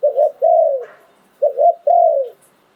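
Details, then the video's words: Spotted dove decoy bird from Thailand, singing in the 'liw tan' style. Two close phrases of a double coo followed by a long, smoothly falling croo, on a quiet background. "เสียงนกต่อดิน 2022 สายโผน หลิ่วตัน"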